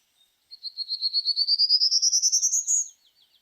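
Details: Prairie Warbler song from a Kentucky warbler identification workshop: a series of short buzzy z-notes delivered very fast without pauses, climbing steadily in pitch across about two and a half seconds.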